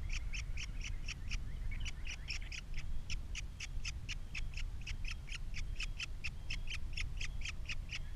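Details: Osprey calling at the Captiva nest camera, three chicks present, 21 February 2022: long, fast series of clipped high chirps about four per second, fairly even, over constant low wind-like roar.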